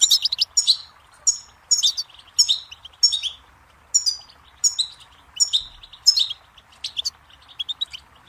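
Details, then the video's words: Goldfinch song in a regular pattern of short tinkling phrases, each a quick cluster of high chirps ending in a buzzy slur, repeated about every half second. "Birdsong Motivation Let Goldfinches Inspire Your Success"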